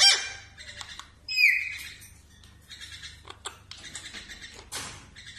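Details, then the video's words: Mimicking parrot giving loud harsh squawks, a raspy whistled note and scratchy chatter. "parrot voice song"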